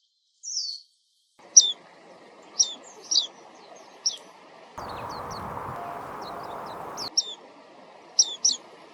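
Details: Warbling white-eye giving scattered short high chirps and thin descending notes, about one a second, with a burst of broad rustling noise in the middle.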